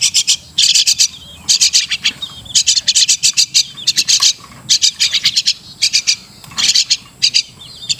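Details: Crested myna, known locally as Martinez bird, giving clustered bursts of rapid, dry, rasping clicks. Each burst is about half a second long and repeats every second or so, with short quiet gaps between.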